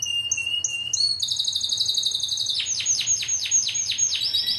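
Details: Timbrado canary bred in a Greek club line, 2009: clear spaced whistled notes, then a high continuous roll, then a run of rapid descending bell-like strokes.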